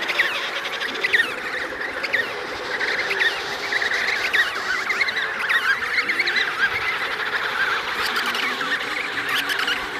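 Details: Emperor penguins, an adult pair with their chick in the Davis Sea, fill the air with overlapping trumpeting, warbling calls rising and falling without pause for ten seconds, over a steady background hiss.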